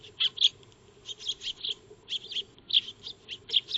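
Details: Backyard maya birds, Eurasian tree sparrows, feeding before a solar wildlife camera; a steady series of short, bright chirps roughly every quarter second, moderately loud, over a faint continuous hum.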